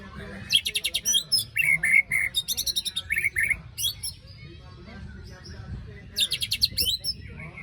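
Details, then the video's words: Murai batu, the white-rumped shama, after moulting, giving besetan song: quick series of crisp, rasping repeated notes broken by loud, clear slurred whistles, a pause of quieter twittering, then another fast grating volley against a faint low hum. "Pancingan murai batu macet bunyi paska mabung terbaru besetannya bikin ngilu!!"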